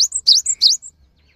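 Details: Java sparrow (gelatik batu) lure song, used to prompt lazy, stressed or young caged birds to sing; sharp high chirps sweeping down then up, three quick notes with a thin trailing whistle.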